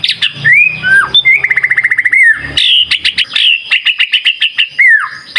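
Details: White-rumped shama lure song meant to get other birds answering: clear whistles, then a fast rattling trill of rapid repeated notes, followed by a pulsing series of bright chips and a final falling whistle.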